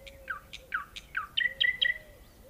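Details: Nightingale song in nature: a run of quick downslurred chirps, then three brighter notes each ending in a short level whistle, while a soft low whistled tone rises and falls in the background.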